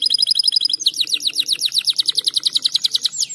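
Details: Canary in breeding condition singing to encourage mating: a short high rattle, then a rapid, steady train of clipped downslurred notes repeated several times a second.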